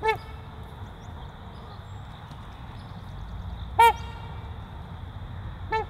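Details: A trumpeter swan breeding pair gives three brassy, nasal honks spread over six seconds, the middle one loudest and the last softer, with faint background hum between calls.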